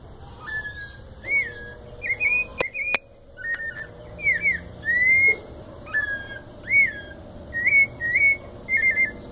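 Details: Mateiro-style song of a white-necked thrush from São Paulo state: sweet whistled slurred notes in short bursts, some doubled, repeated about every second over faint background hum and a couple of loud clicks.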